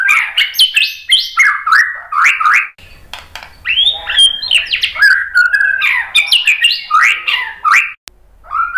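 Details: Continuous, energetic white-rumped shama song for drawing other birds to answer: looping whistled phrases rising and falling quickly, mixed with harsh chattering notes, with barely a pause.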